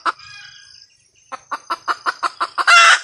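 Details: A hen red junglefowl gives a harsh squawk, falls quiet, then utters about eight quick clucks that build into a loud rasping screech at the end.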